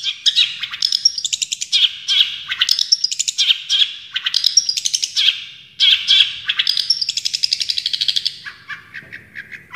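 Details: Full-burst song from a champion Long-tailed shrike used as a training recording: long run of hurried, chattering and twittering phrases with sharp ticks and whistles, dropping lower at the close.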